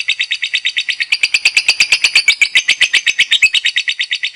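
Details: Lovebird kept as a competition bird, chattering actively: rapid rasping chirps run together at a quick even pace, the series strengthening midway and continuing to the end, with nothing else heard.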